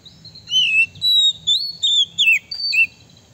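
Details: Male Oriental magpie-robin singing a lure song meant to make rival birds angry: six loud, sweet whistled phrases, each a sliding note, some swooping upward, others dropping, in a steady run over three seconds.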